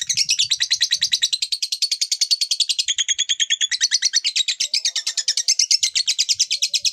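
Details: Lovebird delivering the long 'ngekek panjang' song meant to stir other lovebirds into singing: a continuous, fast, buzzy high trill of rapid repeated notes, about three per second, running unbroken for the whole stretch with only slight shifts in pitch.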